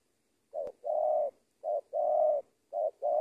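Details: Spotted dove kept as a trainee lure bird in Indonesia, cooing in three paired phrases, each a brief note then a steady, sustained low coo, with a sharp click near the start.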